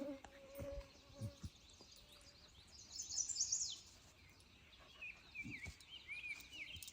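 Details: Chestnut-sided warbler singing a quick burst of high, sweet notes with a slurred ending on the K&P Trail on a sunny, windless, 15° mid-May morning (18 May 2024), around 7 am; other birds call, a man talks quietly.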